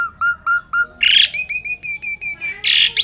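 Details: Asian pied starling giving 'gacor' song with 'isian' fills. Four short clear notes are followed by a harsh rasping burst, then a string of paired level whistles, ending in another rough burst.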